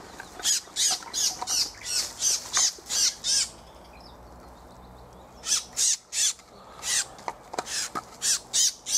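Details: Thrush nightingale, 2024, bird catching: loud, harsh repeated chock notes about three per second, a long pause, then another run of the same hard, evenly spaced notes.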